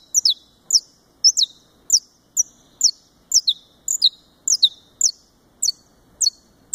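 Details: A saffron finch (Sicalis flaveola brasiliensis) from a breeder in Fortaleza, Ceará, Brazil, sings short, sharp chips that slide down from high pitch, singly or in quick pairs about twice a second, against a quiet background.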